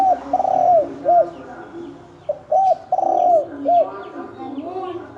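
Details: Spotted dove ('thổ đồng' type) calling during a 'kích trống, kích bổi' fight. Two complete three-part phrases of short hooked coo, drawn-out rattling coo and brief arched coo, plus a trailing softer coo. Faint high chirps sound behind.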